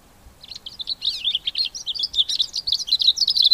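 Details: Cape grassbird singing cheerfully as spring breeding begins in September; a continuous rapid jumble of high scratchy twitters and whistled notes, growing louder toward the end.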